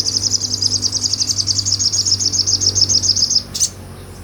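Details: Sunbird (sogon), a small nectar-eating bird, singing in the lively ngobra style, recorded for real as tutor song for other songbirds; one rapid, very high, evenly buzzing trill for about three and a half seconds, then a single sharp note.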